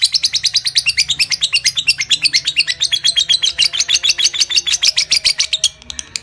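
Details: Lovebird giving its ngekek chatter: a dense, rapid run of high buzzy notes, about six per second, held without a break for some six seconds over a faint low hum.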